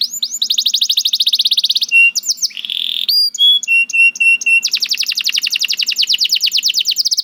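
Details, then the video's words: Canary, reportedly lazy until it hears another canary sing, gives rapid buzzy trills, short steady whistles and clipped notes, ending in a long fast rolling trill. "The Lazy Canary Sounds Immediately After Hearing the Sound of the Canary This One || Voice of Canary"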